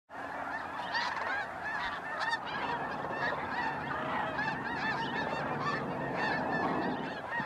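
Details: Snow geese massed at Bosque del Apache National Wildlife Refuge in December 2009 at sunset or sunrise, a dense chorus of overlapping nasal honks, many birds calling at once with barely a pause.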